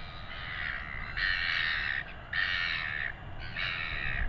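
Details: Royal albatross chick in New Zealand begging as its father feeds it, with weighing taking place: three long, rasping, nasal calls, each close to a second long, separated by short pauses, over low wind noise.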